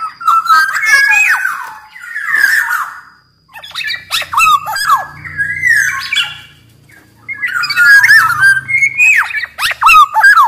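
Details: Black-naped oriole song offered as a lure and master for quiet kepodang: phrases of mellow downslurred whistles and harsh chattering notes come in bursts of about two seconds, separated by brief gaps, with a faint low hum behind.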